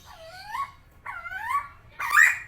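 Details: A tame Helmeted friarbird (Philemon buceroides), called koak kao in West Nusa Tenggara, Indonesia, gives three loud, nasal, slurred phrases, each rising and falling, about one per second, the last harsher and more strident.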